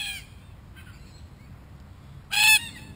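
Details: Wild red-tailed black cockatoo in Australia, part of a group exploring a camera: one loud, rasping, harmonic squawk near the end after a quiet stretch with fainter calls.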